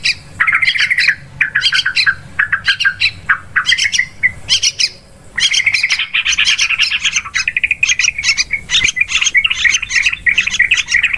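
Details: Yellow-vented bulbul calls used as a hunting lure in forest, rice fields and plantations: long stretches of loud scratchy chatter with rapid chirps, a short pause, then an even denser run of overlapping harsh notes.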